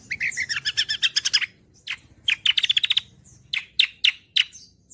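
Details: Fast gacoran song of a cucak kombo (greater green leafbird) used as a master for songbirds: dense rattling trill of repeated notes, a second burst of rapid chirps, then spaced loud sharp notes, with a faint low rumble.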